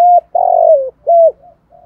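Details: Close decoy spotted dove singing a 'giọng thổ' coo to attract wild doves: a clear level note, a long wavering coo drifting downward, a clean final note, then soft trailing murmurs.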